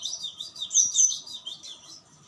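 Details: Cinereous tit giving a short burst of rapid, high whistled notes in a quick bouncing series, two brighter sliding notes standing out midway.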